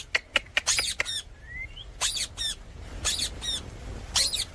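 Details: Pet Indian parrot uttering brief, very high, hissy screech bursts, spaced irregularly, with one thin rising whistle and a steady low background hum.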